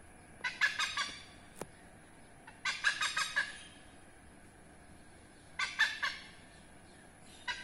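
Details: In Indonesia, behind a house, a hornbill, a rare and protected species, gives harsh, rapid cackling bursts about a second long, repeated every two to three seconds, over a thin steady insect whine.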